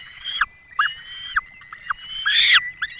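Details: Peregrine falcons at the nest in the Barycz Valley, Poland, 5 May 2022, with the male bringing a small bird and the female feeding chicks. Thin, drawn wails with abrupt downward ends repeat about every half second, then a louder harsh note.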